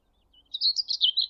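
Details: Common Whitethroat near a railway at Thurrock Thameside Nature Park, perched close by; a thin faint note, then a fast scratchy jumble of high chattering notes running on for most of a second.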